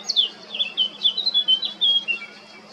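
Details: Male Eurasian blackcap singing in Baška on the island of Krk, Croatia, on 20 July 2022: a quick run of clear, warbling whistled notes, high and varied, rising and falling in short slurred phrases.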